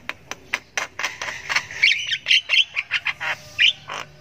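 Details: Javan myna chick, called jalak kebo sultan, giving long ngriwik chirping while learning to vocalize: harsh, buzzy squawking notes repeated in quick pulses, rising toward the end with a few sharper whistled peaks.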